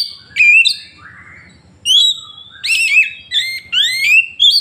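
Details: A 'tembakan' song burst of an Oriental magpie-robin, used to make rival birds answer, phone-recorded in Woncoyo village, Trenggalek, Indonesia: loud varied whistles, sharp upslurs and buzzy falling notes in rapid separate phrases with short gaps.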